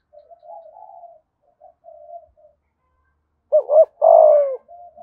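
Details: Spotted dove, Dong Nai, Vietnam, "thổ" voice style; soft murmured coos at first, then one loud phrase of a quick double note and a long falling coo.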